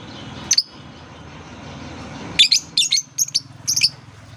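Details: Lovebird chirps used as a therapy sound to prompt young lovebirds learning to sing. One sharp, shrill chirp is followed by a quick burst of about six high chirps. A low hum runs underneath.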